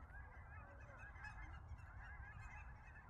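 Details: Cackling geese in flocks landing at Billy Frank Nisqually National Wildlife Refuge in February 2023, possibly mixed with Ross's or Snow Geese; a continuous dense chorus of high honking calls over low wind-like rumble.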